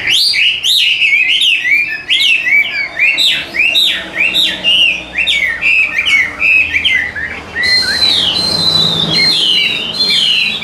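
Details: Loud, varied song of a caged Hwamei, noted for its good voice and diligent singing: rapid rising and falling whistled notes in quick succession, ending in a long quavering trill.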